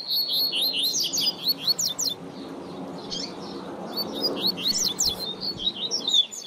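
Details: Tutor song of a double-collared seedeater for teaching young birds. Quick, high, zigzag whistled phrases come in bursts, with a quieter stretch in the middle over a faint low hum.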